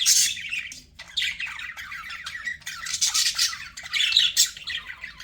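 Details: Pet budgerigars warbling and chirping, loud harsh squawky phrases broken by brief pauses, then resuming in dense chatter.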